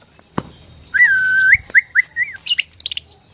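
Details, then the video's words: Bornean white-rumped shama singing a long sliding whistle, then several short swooping whistles, followed by quick high chirping notes, with a faint steady background hum. "KICAU BORNEO AMPUH BIKIN MURAI STRES SUSAH BUNYI AUTO FIGHTER NYAUT"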